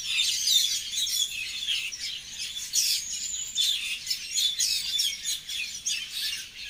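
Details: Bird tweeting outdoors: dense, continuous high chirps and twitters overlapping, with several fluttering bursts rising and falling in loudness, no other clear sounds.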